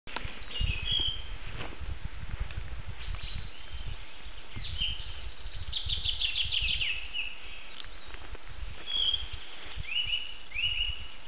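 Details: A flycatcher sings from a nestbox in the Palace Park, Białowieża: short, thin, high phrases every second or two, with one quick tinkling run midway, over a steady low rumble.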